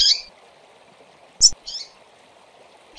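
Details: Calls of female double-collared seedeaters, recorded to stimulate birds: a harsh buzzy note, a sharp high chip, another raspy note and a final chip, with a soft hum behind.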